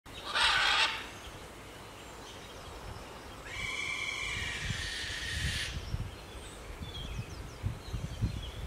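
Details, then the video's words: Scarlet macaws flying at Paradise Park in Hayle, Cornwall; a loud, harsh, raspy squawk bursts out near the start, followed later by a longer grating screech lasting about two seconds, with low rumbling background noise. "Scarlet Macaws Flying"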